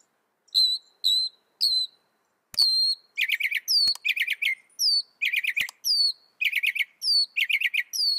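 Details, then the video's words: Mockingbird mixing high clear whistles with falling tails and harsh, buzzy chattering notes, the phrases alternating steadily, with a few sharp clicks between them. "Mocking Bird sound"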